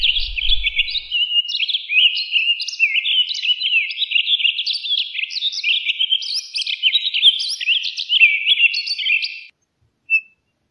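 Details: A continuous, fluid warbling of Townsend's solitaire, quick slurred high notes tumbling on for about nine seconds before ending, then one short clear note; the background is quiet.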